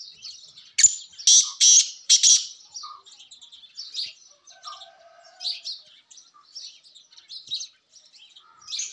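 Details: Black francolin (Sindhi kala tetar) call, played to lure partridges. Three loud, harsh, grating notes near the start, followed by scattered thin, high chirps from small birds.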